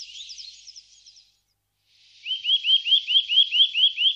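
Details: Eurasian nuthatch in the Wittlich valley, Germany, 2018: after soft high twitters, a clear series of about nine rising whistled notes repeated quickly and evenly, roughly two per second.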